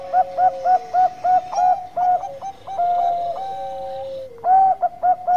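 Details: Energetic Bangkok zebra dove lure song: loud, evenly spaced clipped coos, about two per second, run alongside long level notes and a lower sustained voice, with a final strong burst of rapid coos.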